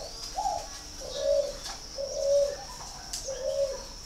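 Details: Spotted dove at a Ba Vì, Hanoi bird farm in northern Vietnam, giving a slightly higher opening coo followed by three evenly spaced, low, hollow coos, over a quiet steady high hum.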